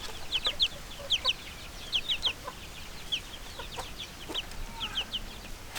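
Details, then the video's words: Young chicks peeping in quick clusters of two or three high, sharp downslurred chirps, pausing briefly between bursts, with faint background hiss and a few soft knocks. "LITTLE CHICKENS CHIRPING NOISE"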